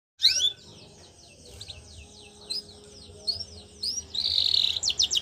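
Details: Canary song used for training young canaries: a sweeping high whistle, then sparse high chirps and slurred notes over faint low hum, ending in a dense buzzy trill and quick rapid notes.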